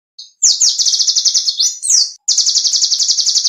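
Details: Small songbird song used for training competition songbirds, described as clear and sharp: loud, high, rapid rattling trills in long runs with short pauses, opened by brief thin whistled notes, no other sounds.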